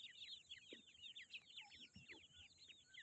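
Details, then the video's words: Grey francolin chicks peeping in a busy chorus of high, thin, down-curving notes tumbling quickly one after another, with faint low thumps in the background. "Grey francolin baby | Teetar chicks"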